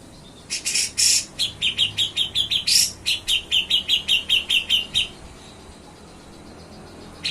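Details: Grey-cheeked bulbul (cucak jenggot) in lively 'gacor nyepik ngetril' song for training other songbirds: harsh broadband bursts, then a fast, even run of sharp high chipping notes, about two to three per second, ending abruptly.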